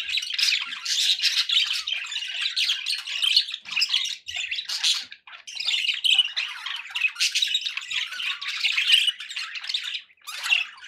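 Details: Group of pet budgerigars in lively chatter: rapid chirps, squawks and gravelly warbles in overlapping bursts, with brief gaps just past five seconds and near ten seconds.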